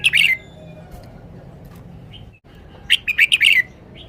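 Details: Red-whiskered bulbul showing its song phrasing: a short burst of chirpy notes, then a quiet gap, then a quick run of five or six bright, clipped whistled notes. Background is otherwise quiet.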